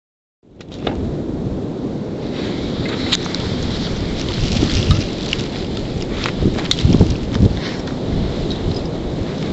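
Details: Heavy rain pattering and drumming after a sudden start, with scattered sharp drop impacts and low rumbling, no animal voice.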